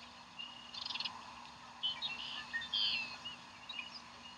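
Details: Bald eagles at their Decorah nest on 27 April 2012 as a fish is brought in for breakfast, still flopping and almost getting away; a quick burst of high, rapid chittering notes, then scattered thin whistled calls over steady background hiss.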